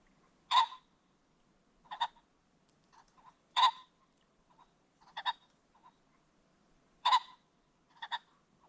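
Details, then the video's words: Ring-necked pheasant at sunset along a creek bottom, giving loud, harsh, clipped calls about every one and a half seconds, each followed by a softer echoing note. "The Sounds of the Ring-necked Pheasant"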